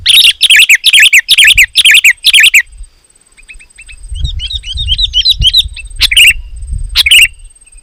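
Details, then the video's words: Loud, dense sooty-headed bulbul song meant to provoke other bulbuls to sing, opening with a quick run of bubbly chirps, then softer thin twittering with low rumbling noise and two final sharp chirps. "Suara Burung KUTILANG GACOR, Rapat dan Lantang Menekan Lawan Burung Kutilang Lain Auto Emosi"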